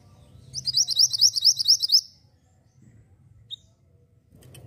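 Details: A persistently singing Javan white-eye: one loud run of about ten rapid, high, upward-sweeping chirps lasting roughly a second and a half, then a lone faint note over a low background hum.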